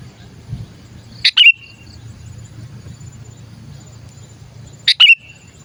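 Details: Calling sooty-headed bulbul, a lure recording for catching other bulbuls: two brisk, clipped chirps about three and a half seconds apart, each a quick bright note that drops away, over a faint low hum.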